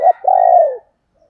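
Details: Close, clean female spotted dove call in the 'thổ đồng' voice, a lure for males: a quick low note followed by one sustained, gently falling coo.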